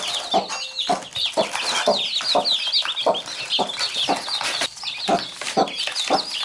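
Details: Mother hen tending chicks that peck at her, giving evenly spaced short clucks about twice a second while the chicks cheep in a thick, high, twittering chorus.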